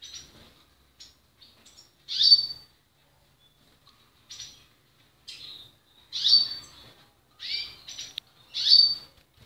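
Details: Portuguese Harlequin canary song: scattered high chirps and brief twittering bursts, with louder rolled trill phrases about every two to three seconds.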